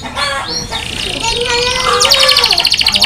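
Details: Canary singing, a mix of varied harmonic notes followed by a fast, even trill of high repeated notes in the last second, with a low murmur underneath.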